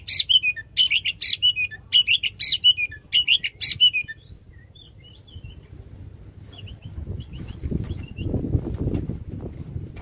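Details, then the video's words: Loud long-burst song of an oriental magpie-robin, meant to coax a stalled bird back into singing: four seconds of rapid, piercing repeated notes, then scattered faint whistles while a low rumbling background noise grows louder. "Kacer Gacor.suara lantang tembakan panjang"pas buat pancingan kacer yang lagi macet."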